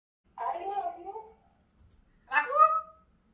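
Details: Pet parrot speaking insolent words; two short voice-like utterances about two seconds apart, the first a drawn-out phrase, the second a brief higher exclamation, in a quiet room.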